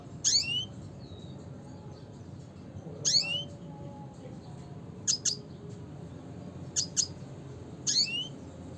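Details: Red siskin (Spinus cucullatus) giving its classic call: short, high, twittering notes in brief bursts about every two seconds, some doubled, over a faint low background hum.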